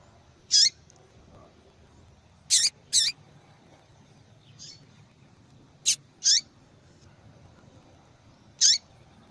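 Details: Female double-collared seedeater calling repeatedly to stimulate males to sing; short, sharp, high chirps given singly or in quick pairs at irregular intervals of about two to three seconds over a quiet background.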